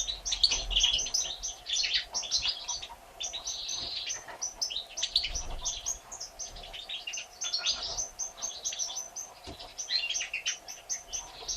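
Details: European goldfinch nestlings, one day old and three in number, born 1 April 2017, begging as the mother feeds them; long sequence of rapid, shrill chirping in waves, with brief dips and faint rustles.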